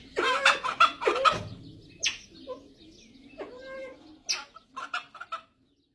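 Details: Grey junglefowl uttering rapid, nasal, clucking calls in bursts, then scattered sharp clicks and quieter staccato notes before falling silent.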